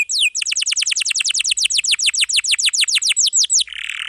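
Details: Canary with a full, dense song of long rolls, used as a tutor for young or silent canaries: one rising note, then a fast even train of downslurred whistles about five per second, closing on a brief rasp.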